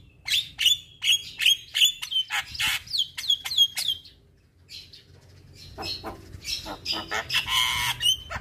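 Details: Javan myna singing: a rapid series of sharp squawks with whistled tails at about three per second, a brief pause, then dense scratchy chatter and harsh bursts.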